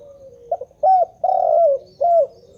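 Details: Spotted dove calling without pause, giving a short low note, then three strong mellow coos that bend up and slide down, the central one drawn out, against a faint background.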